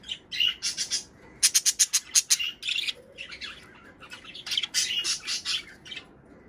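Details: Budgerigars chattering to stimulate breeding: a quick series of sharp clicking chirps in the middle, surrounded by scratchy warbled bursts.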